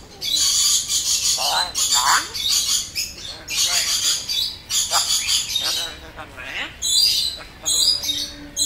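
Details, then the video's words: African grey parrot, a pet, repeating learned words in a near-continuous run of loud hoarse squawks, speech-like syllables and sliding whistles, barely pausing for eight seconds. "African grey parrot cuty repeating the know words"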